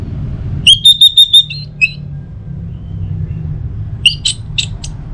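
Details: Orange-headed thrush song for prompting other birds to sing in the morning. Five quick identical whistled notes with a falling note, a pause, then a few scratchy, buzzy chips, over a low background hum.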